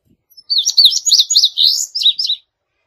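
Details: Indigo bunting, Passerina cyanea, gives a two-second song of sharp, high, up-and-down slurred notes grouped in pairs, ending with a few descending phrases.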